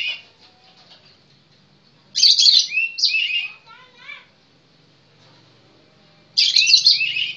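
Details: Singing Oriental magpie-robin, known locally as kacer, alternating harsh, rasping high bursts with a softer series of descending slurred notes, then another loud scratchy phrase after a pause.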